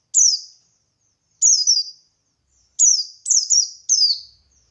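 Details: Buxtoni white-eye singing actively in ngalas style, played to provoke other white-eyes into answering: sharp, high descending chirps in short bursts, singles and doublets separated by clean silent gaps.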